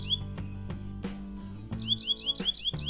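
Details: A Dark-eyed Junco in a western United States backyard gives a musical trill of high, even notes repeated about six times a second, like a chipping sparrow's, with soft background music underneath.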